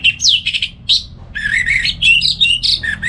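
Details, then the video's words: Orange-headed thrush singing in the morning, a kept bird used as a tutor for other songbirds; rich varied phrases of whistles, slurred notes and chattering trills around mid-high pitch, continuous with brief pauses, low indoor hum beneath. "Pagi Hari Hari ANIS MERAH Ngeplong Gacor Untuk Pancingan & Masteran Burung Dirumah"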